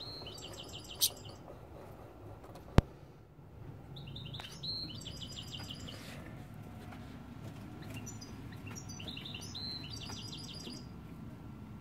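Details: Tutoring song of a Parva x Timbrado canary, used to teach young birds, recorded in 2016 at Tadmaït. Several quick bursts of high, metallic trills and rattles separated by pauses, with a sharp click and constant low background hum.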